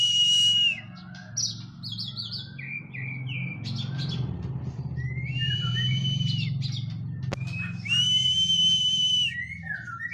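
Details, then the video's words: Oriental magpie-robin in post-moult physical training, singing sliding whistles and long, steady, pure notes over a loud, constant low rumbling hum. "KACER PRO HYPER LATIHAN FISIK PASKA MABUNG.!!!"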